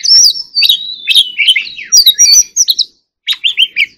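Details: Energetic white-rumped shama song: loud high whistles and slurred notes packed together, a short pause, then three quick repeated chirps.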